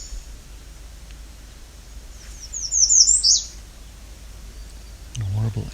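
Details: An American Redstart sings in summer at the Alvar Bay nature reserve on the Bruce Peninsula: a brief series of very high, thin, sharp notes that quicken and end in an emphatic downslurred flourish; a man then speaks.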